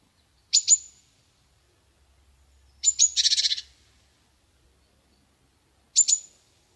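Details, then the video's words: Black-capped chickadee gives high, sharp two-note chips three times, once run into a quick buzzy dee-dee-dee string, against an otherwise quiet background. "chickadee song"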